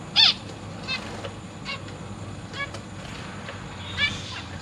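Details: Zebra finch parents feeding three juveniles and three newly hatched young in a large cage, August 2023. One loud harsh nasal call opens, followed by several fainter short chirps over steady low hum.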